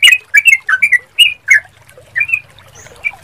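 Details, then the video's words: Sooty-headed bulbul song used as a calling lure: a series of short, lively, slurred whistled notes, quick and uneven, growing fainter toward the end. "Hanya 5 Menit Dengan Pancingan Suara Trucukan Anda Pasti ikut Bunyi / Nyaut"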